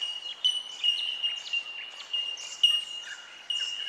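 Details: Chorus of bell miners (bellbirds, Manorina melanophrys) at Benarkin, south-east Queensland: a steady ringing tone overlaid with clear, high 'tink' notes every half second or so, like small bells or wind chimes.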